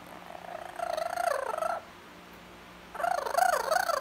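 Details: Blue-fronted amazon parrot talking: two bursts of harmonic, wavering, voice-like phrases with rising and falling pitch, separated by a quiet pause of over a second.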